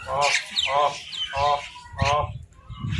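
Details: Crows fighting over food: four harsh, nasal caws with stacked harmonics, each about a quarter second long and repeated roughly every half second, followed by a fainter call and some low background noise.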